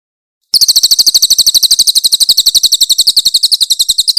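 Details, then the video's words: Grey-headed canary-flycatcher master song with coarse 'tembakan' volleys: sharp, very high chips fired rapidly and steadily for over three and a half seconds after a short silence, with a clear, clean sound. "AUDIO MASTER BURUNG CILILIN GACOR FULL TEMBAKAN KASAR & SUARA JERNIH"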